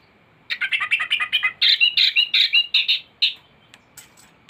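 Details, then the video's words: Thrush singing in a tutoring recording meant to prompt caged thrushes into song: a rapid series of about a dozen bright, slightly buzzy notes, loud and evenly paced, ending with a few fainter ticks. "Anis gacor teler isian komplit materi masteran burung anis pancingan bunyi"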